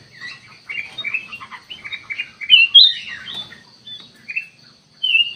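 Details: Sooty-headed bulbul lure song to provoke a response: chattering warbled notes building to loud slurred whistles midway, then scattered chirps and a final strong whistle.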